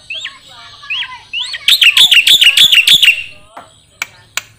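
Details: Black-winged starling singing on a songbird training recording: a few rising whistled slurs, then a rapid burst of bright chattering notes, followed by faint chirps and two sharp ticks.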